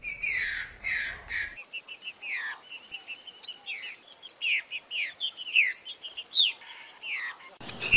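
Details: A caged green-winged saltator (trinca-ferro), played to warm up and prompt other birds to sing, gives loud, fast runs of clear whistled and slurred notes, many sliding downward, one after another with hardly a pause.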